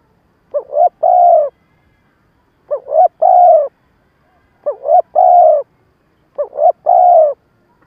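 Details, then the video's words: Lure spotted dove voicing the stuttering coo-crow pattern used to stir up wild doves for trapping; four phrases about two seconds apart, each two brief rising notes and a sustained mellow coo, clean background. "Tiếng cu gáy mồi cà lăm gù - gáy - thúc kích bổi nhanh nổi"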